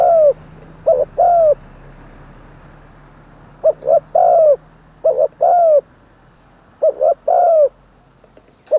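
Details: Spotted dove being trained as a decoy bird, from Buriram in Thailand's Isan region, singing the style called "khan long kuk wai" with a full middle voice. Low hollow cooing phrases come in three bursts, each a short note then a longer falling coo, with faint low hum.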